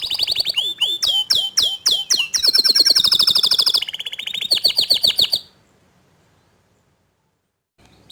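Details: Canary song recorded as young and untrained canaries respond to a gacor dor canary: repeated steep downslurred notes, then dense buzzing trills, ending in silence after about five seconds.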